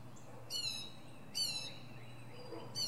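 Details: Northern mockingbird in a pine treetop giving loud harsh high notes with stacked descending overtones, two main bursts about a second apart, the second followed by softer sliding notes.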